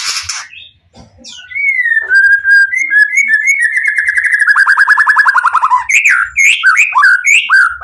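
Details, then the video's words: A white-rumped shama sings to provoke other shamas into answering: sweet whistled notes, then a long rapid trill sliding gently downward, ending in varied loud whistled phrases. "Murai Batu Pastol PTRK BF full emosi ... pancingan murai lain bakalan nyautt.."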